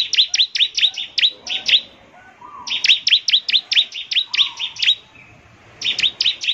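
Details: Bar-winged prinia song intended to provoke answers from other prinias. Short clusters of piercing, high chips repeat in three phrases with quiet gaps between them, and a soft lower whistle sounds faintly in the background.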